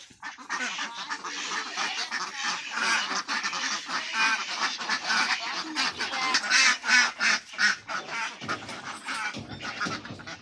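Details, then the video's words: Large flock on a duck farm quacking almost nonstop, a dense overlapping chorus of raspy, nasal quacks with louder bursts standing out. "Duck Sound"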